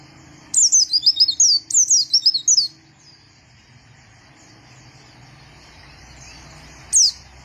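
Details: Vigorous white-eye song: two quick phrases of bright, falling, whistled chirps run together, then near-silence with faint background hum and a single sharp chirp at the end.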